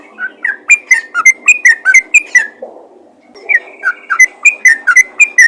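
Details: Yellow-vented bulbul calling to other bulbuls: lively, fluty whistled notes rolling along several per second, a short quiet break around three seconds, then another vigorous run of whistles.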